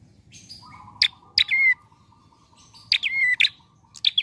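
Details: Prinia in relaxed song, the kind used as a trapping lure: two phrases, each of a sharp clicking note and then a downward-gliding whistle, with a faint steady tone and low hum beneath.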